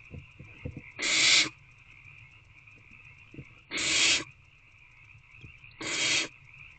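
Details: Hungry owlets in Owl Box C on 3/2/24 at evening, begging for food: three explosive rasping hisses spaced two to three seconds apart, quieter clicks and rustles in between, faint background hum.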